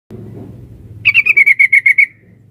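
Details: Female sooty-headed bulbul calling the male, used as a lure: a single fast burst of about nine sharp, ringing notes lasting one second, each slightly lower than the last, after a low background hum.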